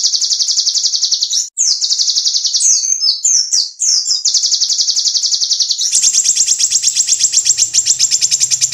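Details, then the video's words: Small bird singing, recorded for tutoring contest songbirds: long shrill trills, a burst of tangled chattering notes in the middle, then a brighter sustained buzzing trill to the end. "SUARA BURUNG KECIL FULL TEMBAKAN"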